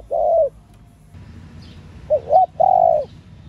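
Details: ['A female spotted dove cooing to excite males: one long falling coo, a pause, then a phrase of two quick rising notes and a sustained falling coo.']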